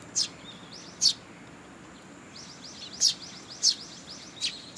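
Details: Begging sparrow chicks with their parents at a Tenmangu shrine, 2 July 2022: scattered shrill chirps over a background of faint, rapid, high twitters.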